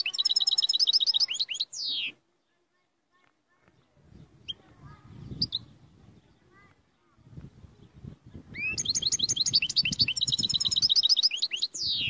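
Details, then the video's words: European goldfinch singing vigorously in two bursts of rapid, high twittering, each ending in a descending buzzy note; between them, low murmuring background noise and a few faint chirps. "تغريد مقنين قوة ماشاء الله"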